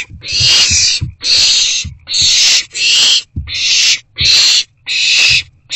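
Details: Owls in a nest box during rodent deliveries on the evening of 29 March 2024, 7:41–7:44 pm: loud harsh hissing screeches, each about half a second long, repeated steadily with short gaps. Soft low thumps come from inside the box.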